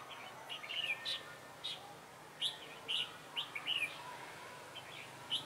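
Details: During a 3 November 2017 trapping session, a red-whiskered bulbul acting as a lure gives bright, whistled, slightly warbling notes in short clusters, with pauses of roughly half a second to a second. A light hum runs underneath.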